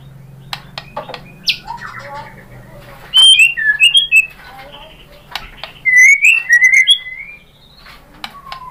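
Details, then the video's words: White-rumped shama song used as a lure to provoke other shamas into singing; two bursts of loud, rich whistled phrases with quick rising and falling slurred notes, separated by scattered sharp clicks, over a steady low hum. "Suara MURAI BATU jadi EMOSI GACOR BONGKAR ISIAN | PANCINGAN MURAI ¦ SHAMA BIRD"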